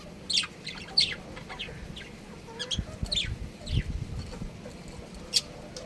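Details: Budgerigar breeding pair kept as pets, uttering sharp high chirps spaced a second or two apart, with softer twittering notes between them over a low background rumble.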